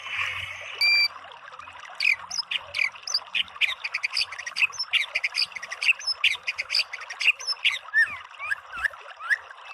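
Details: White-rumped shama in a training recording meant to provoke a bird into singing: a faint but continuous rush of sharp chips, squeaks and short slurred whistles, densely packed and irregular, following a brief buzzy note near the start.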